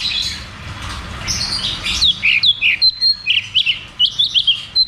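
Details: Cucak cungkok delivering 'ngeroll tembak' song, meant to coax silent birds into singing: after a murky start, a fast chain of clear, down-slurred notes bouncing between two pitches, with hissy background.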